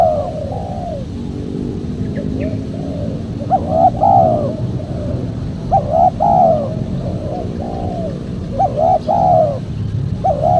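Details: Spotted dove coos used as a lure for catching wild doves: soft coos at first, then three loud repeated phrases, each a short stammered note and a longer descending coo, with faint chirps and low rumbling noise underneath.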